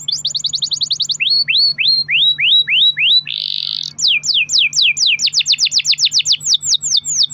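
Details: Loud canary song used to stir other canaries into singing: a rapid high trill, then repeated upslurred whistles about twice a second, a short buzzy burst, and a long fast series of falling whistled notes.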